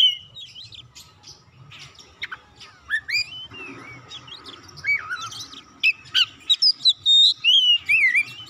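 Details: White-rumped shama song meant to trigger singing in other birds: soft varied chirps building into a loud run of rapid, rhythmic whistled notes, sharp upward and downward slides near the end.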